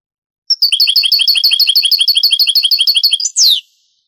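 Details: Granada-style song of a European goldfinch from an old Spanish cassette of the 1980s-90s converted to CD: a sustained, rhythmic trill of rapid metallic notes, closed by a single loud descending note.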